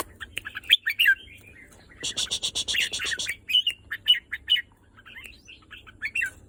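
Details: Red-whiskered bulbul: a few clear whistled notes, then a harsh buzzy rattle lasting about a second, followed by bright slurred whistles spaced through the rest.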